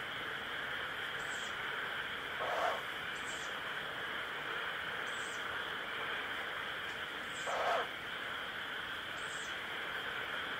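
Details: Young owl begging with a 'pish' call: short, sharp, hissing bursts repeated roughly every two seconds, five in all, with two louder lower breathy notes in between, against constant background noise.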